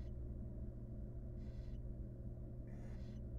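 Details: Wild barn owls in a monitored nest box, a mother grooming her chicks; two harsh, breathy hissing bursts about a second apart over a steady low electrical hum.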